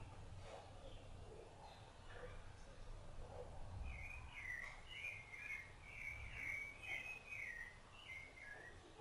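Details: Song of a Rufous-bellied thrush tending its chicks: quiet low chatter at first, then from the middle on a rich run of warbled fluty phrases, rolling and slurred, each lasting under a second.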